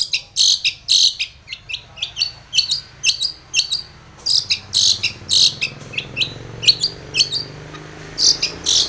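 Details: Long-tailed shrike calling to a rival as a lure to provoke song: a rapid, high, scratchy chattering series of short bursts, roughly two per second, steady in loudness over a faint hum.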